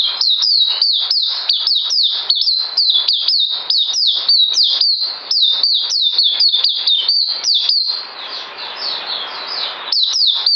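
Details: White-eye song from 9 December 2018: a long burst of quick, high hooked whistles at roughly four per second, interrupted near eight seconds by two seconds of soft rustling before the notes resume.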